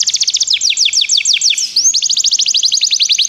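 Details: Canary song used for training: a fast, steady trill of repeated downward-sweeping notes, roughly ten per second, broken once by a brief rising whistle before the trill resumes at the same pace.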